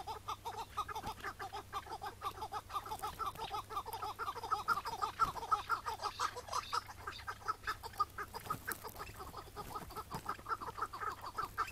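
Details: Iraqi-type chukar, a wild partridge calling on a May 2017 morning during capture. A long, steady run of clucking chuk notes repeats about twice per second, growing louder in the middle.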